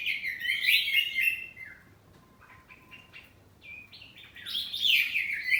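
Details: Home-kept kacer poci oriental magpie-robin singing ngeplong style, answering back and forth: an energetic burst of whistles and trills, a quiet pause with a faint thin whistle, then another loud chattering phrase.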